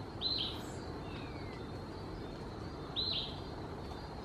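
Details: Female Buff-spotted Flufftail during a long bath in Pigeon Valley, Durban, late one afternoon, giving two short, high, squeaky notes about three seconds apart, over a steady low rumble and hiss.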